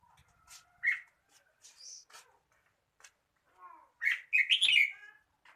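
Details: Red-whiskered bulbul uttering scattered chirps and clicks, then a loud, jumbled phrase of rolling whistled notes toward the end.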